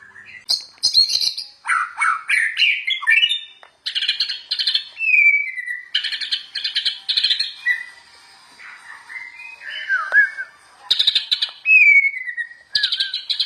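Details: White-rumped shama, an energetic singer used as a master recording to train other shamas: rich mix of whistled phrases, descending slurs and loud rasping rattles in short bursts with brief pauses between phrases.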